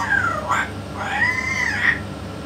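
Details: Yellow-naped amazon talking with a parrot expert present: a falling harmonic phrase, a short squawk, then a long arched, voice-like whistled sound ending in a brief upward flick, with constant low background hum.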